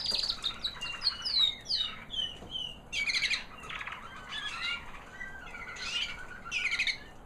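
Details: Post-molt song of a white American Singer canary hen, proven in 2009 and a mother of last year's babies: high downslurred whistles, then buzzy trilled phrases and sharp chirps in short bursts.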